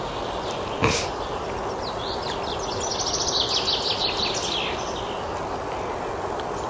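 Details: Spring forest chaffinch song: after a loud knock, a rapid run of high, downward-slurred notes builds and fades over about two seconds against constant hissing background noise.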